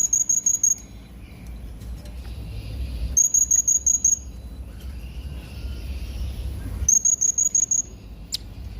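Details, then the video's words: Yellow-throated hanging parrot (srindit jawa) giving three quick bursts of about six very high, thin, evenly spaced chirps, each burst under a second long and separated by roughly three seconds of quiet with a low background hum. "pesona burung srindit jawa"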